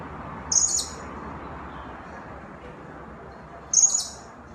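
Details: Blue-crowned hanging parrot, used as a lure sound to draw birds in: two brief, piercing, very high squeaky notes about three seconds apart against quiet background hiss.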